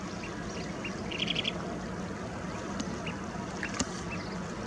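Kentish plover giving soft, short high 'pit' notes, scattered irregularly with a brief quick run near the start, over steady surf-like rushing noise.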